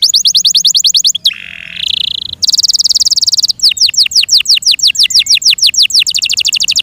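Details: Yorkshire canary, a captive songbird, delivering a loud varied song: fast repeated high notes, a short lower buzzy phrase, a rolling trill, then quick downslurred whistles and another rapid trill.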